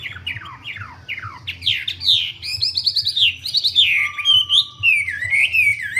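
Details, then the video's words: Lively Wambi song opening with a string of downward-sliding whistles, then building into quick, varied warbled notes and rising-falling slurs, with a steady faint tone and low hum behind. "Burung wambie"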